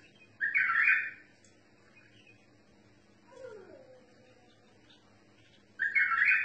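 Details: Bulbul performing the 'tor mutawai' style of song, two bright warbling bursts opening and closing the passage, separated by quiet twittering and a soft, sliding downward whistle, with a steady faint low hum behind.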